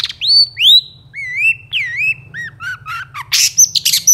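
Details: Long-tailed shrike in full varied song, played to get lazy birds singing: clear rising and falling whistles, wavering mid-pitched notes, then a scratchy burst and sharp high chips.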